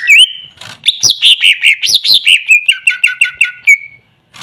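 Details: Cucak ijo, greater green leafbird, singing a lure phrase meant to draw replies from birds that have stopped singing: a quick series of about a dozen bright slurred notes, then a sustained level whistle and silence.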